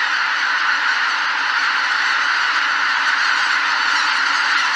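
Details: Roost departure of greater white-fronted geese at Miyajima-numa marsh, 2023: a huge flock calling at once, a thick steady chorus with faint individual honks barely emerging from the din.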